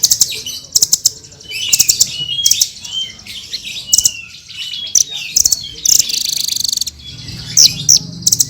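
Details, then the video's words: Vigorous song of a blue-crowned hanging parrot, with rapid clicking bursts under a second apart, thin high whistles and a short buzzy trill near the end, over a low murmur. "Suara Burung Srindit Full Gacor"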